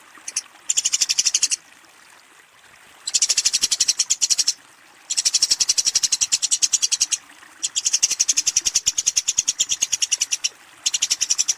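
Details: Eurasian tree sparrow calling a rival while fighting: long bursts of very fast, sharp, high chattering chirps lasting one to two seconds each, separated by brief pauses, repeated four or five times.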